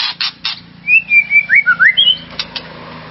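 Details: White-rumped shama song meant to rouse a rival shama's aggression: a few harsh buzzy bursts, then a rapid string of clear, looping whistled phrases rising and falling, ending with short sharp notes.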